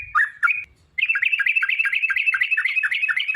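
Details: Sooty-headed bulbul lure song of the rapid 'ropel' type, said to be a female calling a male: a few opening whistles, a brief pause, then a dense fast chatter of bubbly notes repeated several times a second.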